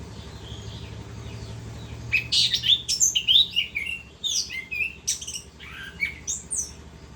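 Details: Orange-headed thrush singing continuously (ngerol): after two quiet seconds, a dense run of varied high whistles, chirps and rasping notes pours out in uneven bursts, several notes per second, over a faint low background hum.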